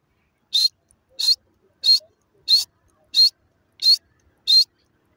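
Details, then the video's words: Kept grey francolins, Irani desi teetar birds, calling: seven sharp, high, harsh notes repeated at a steady pace of about one every two-thirds of a second, with silence between them. "my irani desi teeter birds calling,grey francolin voice"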